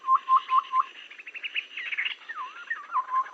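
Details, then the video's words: Babbler call used as a lure for trapping: four evenly spaced, clear whistled notes that rise slightly, then a busy run of warbled, twittering notes sweeping up and down, ending in softer repeated whistles. "suara pikat burung Tepus kaban"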